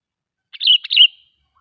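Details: Sooty-headed bulbul singing a brief phrase meant to lure other bulbuls: two connected bubbly whistles, slurring downward, about half a second long, in silence.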